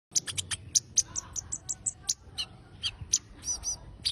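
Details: Konin bird singing energetically: a lively run of sharp, high chirps and short whistled notes, some clipped and repeated, others slurred, delivered in quick irregular bursts over a faint low background hum.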